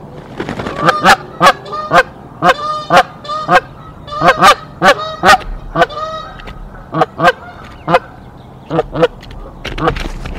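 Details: Canada geese, both parents defending their nest against an intruder goose on April 1, 2024; long run of loud, rising, two-part honks repeated about twice a second, with overlapping voices.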